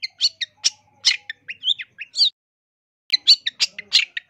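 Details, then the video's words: Long-tailed shrike training song for teaching caged birds and luring wild ones: lively, full of mimicked phrases. Harsh chattering bursts mix with short whistled slurs, a pause near two seconds, then a fast run of scratchy notes. "MASTERAN CENDET GACOR FULL ISIAN ISTIMEWA COCOK BUAT PIKAT"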